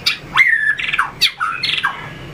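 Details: Trained White-rumped shama delivering fighting song with tail flicking and perch hopping: sharp chips, a sustained slurred whistle, a buzzy rattling phrase, more quick whistled notes and a rasping ending, all loud and close.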